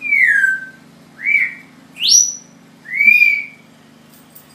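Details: Pet African grey parrot indoors imitating bird calls: four clear whistles, the first gliding down, then short rising and falling slurs, one sweeping sharply upward, spaced about a second apart over a low steady hum.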